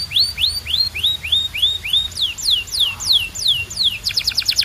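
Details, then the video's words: Singing canary delivers a series of slurred whistles, first rising then falling, roughly three per second, ending in a burst of very fast high clicks; quiet background. "Ultimate Canary Singing Compilation"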